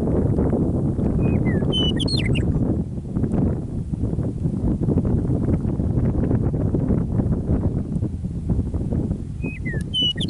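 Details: Early spring evening song of a Meadowlark on prairie by Michichi Dam, Drumheller, Alberta, after winter: a whistled, flute-like phrase breaking into a fast gurgle, heard at the start and again near the end, separated by loud wind.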